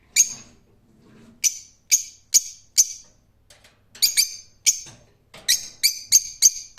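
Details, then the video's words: Rose-ringed parakeet uttering shrill, squawking screeches in irregular groups, with quick doubled notes and a tighter cluster of calls near the end. "Cennet Papağanı Sesi"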